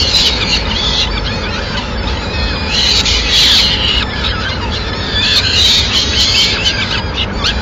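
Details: Peregrine falcons at the nest in Madrid on 29 April 2016, the mother arriving with food for the chicks: rough, high, continuous squealing, louder in two bursts, over steady low noise.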